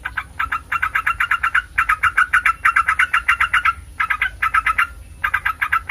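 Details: Sooty-headed bulbul song for prompting other bulbuls to reply: long runs of quick, bright notes in several bursts split by brief pauses.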